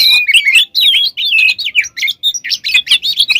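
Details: Kacer, or oriental magpie-robin, pouring out a continuous varied song as a lure for other birds: rapid sliding whistles and chattering notes with barely a pause.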